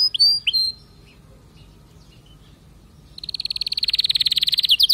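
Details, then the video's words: Canary: a few sharp, hooked whistled notes, then a quiet pause with faint background hiss. A rapid high trill then builds steadily louder until the end. "اذا كناريك ما تغير في ضرف دقيقة اطلقو وبلاش تربي كناري"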